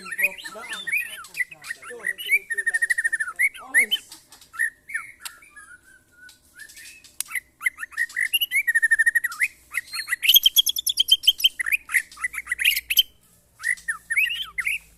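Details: White-rumped shama in a mental test with neighbours' birds. A long, shifting medley of repeated whistled motifs, buzzy trills and fast chattering runs, with a brief lull midway.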